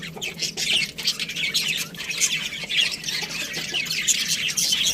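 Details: Budgerigar chirping as a dense, continuous scratchy chatter of high squeaks and raspy notes with no clear pauses, steady in loudness throughout, a faint low hum behind.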